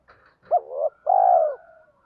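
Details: Calling coo of a decoy spotted dove meant to make wild doves respond quickly: a sharp hooked opening note, a wavering middle note, and a drawn-out mellow coo trailing into a faint thin whine.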